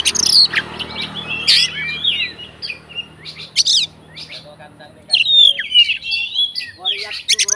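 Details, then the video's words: Fighter oriental magpie-robin song used to trigger other magpie-robins, with bright whistled slurs, harsh bursts and a clear descending whistle, separated by short gaps amid a faint low hum. "BUNYI BURUNG KACER FIGTER, FULL ISIAN KACER LAIN LANGSUNG ON"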